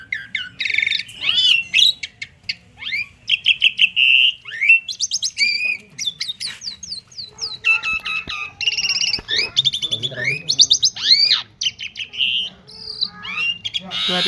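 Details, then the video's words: Asian pied starling, a caged songbird, in a long varied song: loud whistles, harsh rasping bursts and rapid clicking phrases following one another without pause over fourteen seconds, with faint low background murmur. "jalak suren super mewah"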